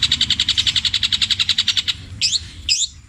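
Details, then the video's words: Long-tailed shrike singing borrowed material, including kingfisher (tengkek buto), sparrow (greja) and 'petir' style phrases: a fast, even, high trill of about twenty buzzy pulses, then two sharp sweeping, rising-falling notes. "CENDET INI MUNTAHKAN TENGKEK BUTO KUNTILANAK GREJA NYERET PETIR KW PANJANG2 DAN DIULANG2"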